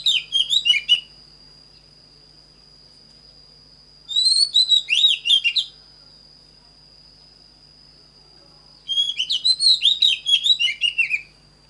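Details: Training song of an Oriental magpie-robin: three separate bursts of quick, varied whistles and chirps, each about a second and a half long, spaced roughly four seconds apart. A faint continuous high-pitched tone hums in the background.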